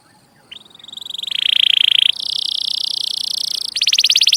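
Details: Canary song for training young canaries, heard more faintly over a hiss of background noise: a rising whistle leading into long buzzy rolling trills that step up in pitch.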